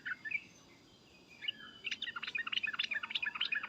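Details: Yellow-vented bulbul in agitated calling: a few faint notes, then a quick series of bright, bubbling chirps rising in strength, against noticeable background hiss.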